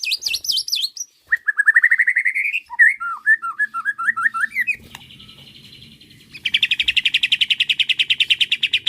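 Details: Provoked by a bait recording, a white-rumped shama sings rising whistled slurs and quick rolling phrases, then a steady, rapidly repeated buzzy trill held for several seconds.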